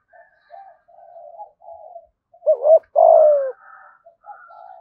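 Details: Spotted dove cooing thúc gù style with a thổ voice, Đồng Nai, Vietnam: several quiet, muffled low coos, then one strong phrase of a quick double note and a sustained, slightly descending coo, followed by more soft murmurs.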